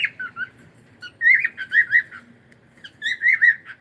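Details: Pet cockatiel chirping in a live stream, a run of short whistled, wavering notes in quick succession, then a brief pause and another cluster of bright chirps; faint low room hum beneath.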